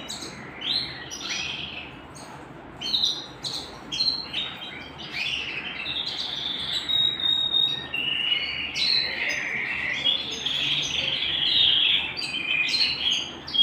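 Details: Canary singing at home, opening with sharp separated chirps, then settling into a long, steady, buzzy trill with high whistled accents.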